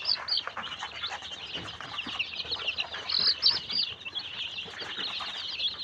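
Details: A group of Tiger chicken chicks on a farm in Sirajganj Sadar, Bangladesh, peeping continuously in shrill, overlapping high notes, with a steady chorus of rapid chirps and some soft rustling beneath.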